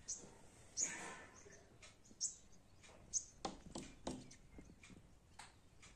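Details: A hummingbird trying to come indoors gives sharp, very high single chips spaced roughly one second apart, four in all, among soft clicks and knocks.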